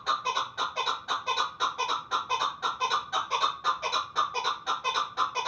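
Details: Chukar partridge of the Pamir repeating harsh, clucking notes in quick pairs and singles, close to two per second, sustained and regular over several seconds.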